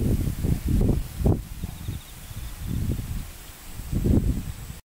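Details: A Watercock (Gallicrex cinerea cinerea) gives deep, hollow, booming notes in short quick runs, each run several beats long, with pauses between bursts; a faint outdoor hiss lies beneath.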